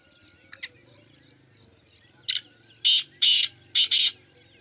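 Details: After a faint distant note, the mushki teetar, or black francolin, delivers its loud phrase: a short clipped note, two long harsh rasps, then a tight double rasp, with soft background chatter.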